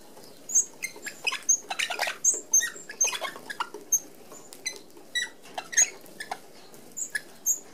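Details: Flock of red-browed finches, an Australian native, feeding at a mesh-screened open aviary feeder: sparse high, thin peeping notes repeated every second or so over a busy patter of clicks and small landing noises.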